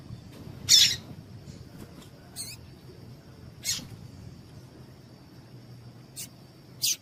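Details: Calls of a female coleiro tui-tui, Double-collared Seedeater, meant to warm up males so they sing: scattered brief high chips and short slurred notes spread across several seconds, with a faint steady high tone behind.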